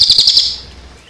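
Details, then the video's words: Cililin song mixed with the sound of water, used as a training recording for songbirds: a rapid, bright trill of about five high, sharp notes that fades quickly, with a low background murmur. "Tembakan Cililin"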